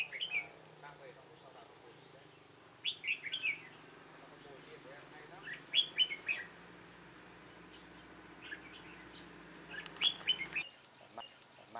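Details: Red-whiskered bulbul decoy calling wild birds toward a trap, 9 September 2017; clusters of bright warbled chirps separated by pauses of a few seconds, over a low hum and faint background murmur.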